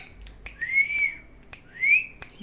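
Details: Pet Indian ringneck parakeet giving two clear whistles, each sliding upward and then holding steady, about a second apart, with sharp clicks and snaps in a small quiet room and a person saying "thank you" nearby.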